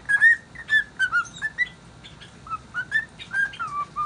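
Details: Pet cockatiel singing contentedly, melody unknown: a lively series of clear whistles, several swooping or falling at the ends, delivered in two quick phrases separated by a short pause.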